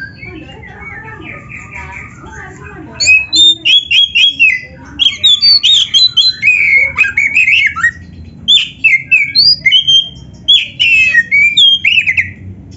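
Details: Oriental magpie-robin (kacer) in full, lively song, recorded as tutor material for training other songbirds: after three quiet seconds, rapid bursts of sharp, varied whistles and chattering notes in quick succession, over a low background hum.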